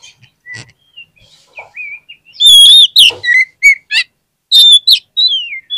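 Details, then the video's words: Oriental magpie-robin song for luring lazy birds into quick replies: quiet piping notes build to loud, clear whistled bursts, with sweeping slurs and crisp chirps toward the end. "PANCINGAN KACER PALING AMPUH UNTUK RANGSANGAN KACER YANG MALAS BUNYI AGAR CEPAT NYAUT"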